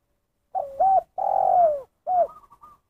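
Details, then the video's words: Spotted dove giving the call style known locally as "kuk satu": soft, hollow coos, with a short note, a long falling drawn-out coo, then a final coo trailing into a few quick stuttering notes, in quiet surroundings. "Suara Panggilan Terkukur Kuk Satu"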